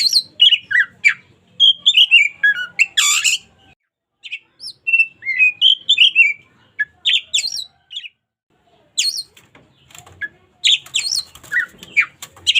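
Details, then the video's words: Local Oriental magpie-robin singing vigorously, recorded as a daily tutor song for training other birds: quick varied phrases of whistled slurs and sharp chattering notes, broken by short pauses, with a burst of harsh buzzy notes near the start. "KACER LOKAL GACOR SUARA UNIK COCOK UNTUK MASTERAN HARIAN!"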